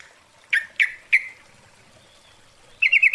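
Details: Female Yellow-vented Bulbul calling for a male, used as a lure: three sharp separate chip notes in quick succession, then a pause and a fast rattling run of notes at the end.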